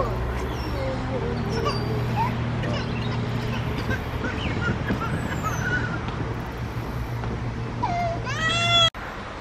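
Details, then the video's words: A Gray catbird at Echo Lake Park sings scattered squeaky, jumbled notes, then gives a nasal, cat-like mew near the end, over a steady low engine hum. "Gray Catbird Sings/Meows"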